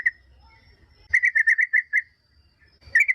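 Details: Yellow-vented bulbul song as a lure for other bulbuls to reply: a brief note, then a slower run of about seven separate chirpy notes on one pitch, followed by the start of another phrase, with soft low rumbling.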